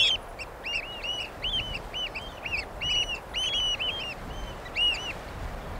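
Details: Eurasian oystercatcher giving a quick run of shrill, slightly arching piping notes that later thins out into a few isolated calls, against low background noise.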